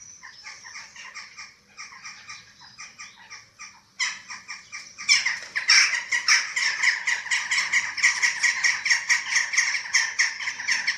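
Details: Eurasian eagle-owl at a webcam nest in Germany on 27 March 2024, during feeding of the chicks. Harsh, broadband rasping hisses repeat about every two-thirds of a second, then grow louder and denser after five seconds.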